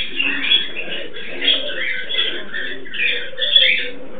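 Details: Pet Amazona aestiva couple mating produce harsh, hoarse chattering over a low humming murmur, with short louder squeals roughly every second.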